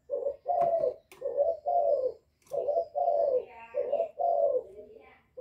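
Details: Young spotted dove, calling and bow-cooing: a rapid, steady run of paired low hollow coos, with a faint higher chirp and a few clicks in the background.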